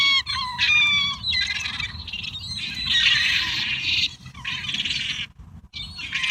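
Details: Wild gulls in a flock feeding on a heap of pizza and leftovers, loud dense crying and squawking with repeated falling notes, interrupted by brief quiet gaps.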